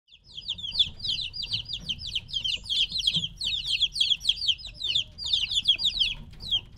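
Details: Several three-week-old chicks separated from their mother peep loudly and continuously, dense overlapping high descending chirps in rapid bursts, with a faint low rumble underneath.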